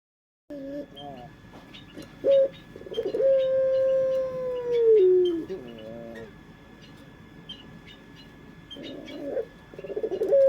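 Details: Puter pelung collared dove song used as a lure: a long, steady, low cooing note that slides downward at the end, followed by wavering, pulsed coos, with faint chirps of small birds and a constant background hum.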